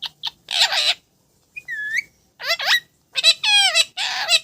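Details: Parrot talking: a series of short, speech-like squawky bursts with harsh broadband syllables and clear whistled, bending tones, separated by brief pauses.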